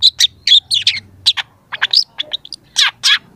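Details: Young long-tailed shrike singing at full strength, used to coax other shrikes into song: varied sharp chirps and short whistled slurs, some rising, mixed with scratchy notes in an uneven sequence over quiet background.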